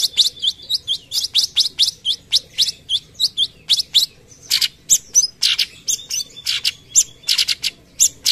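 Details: Cucak cungkok in full, frequent tembakan song for master training: rapid series of sharp rising chirps, evenly spaced about three per second, then looser mixed whistles and buzzy notes toward the end.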